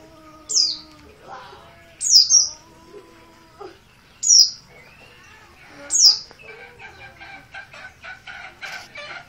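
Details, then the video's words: Merapi oriental white-eye, an untrained 'bahan' bird, calling insistently: four sharp, high, descending notes roughly every 1.5 to 2 seconds, followed by a run of soft, scratchy clicks and a voice. "Pleci dakun merapi bahan, call ngotot"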